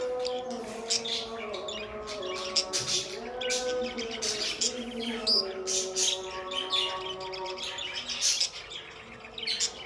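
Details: Pet budgies give rapid, bright twittering chirps, clustered in dense bursts with brief pauses, over continuous background music holding long tones.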